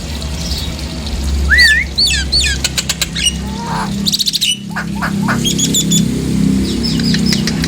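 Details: Nias hill myna calls used as a provocation recording to stir birds into singing: a rising whistled note, varied upward-sweeping chirps and bursts of sharp clicks, over a steady low hum.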